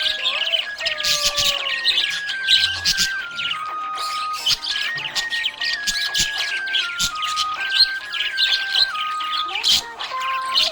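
A budgerigar chatters nonstop with fast, high, scratchy chirps and warbles, while a song's sustained melody plays underneath.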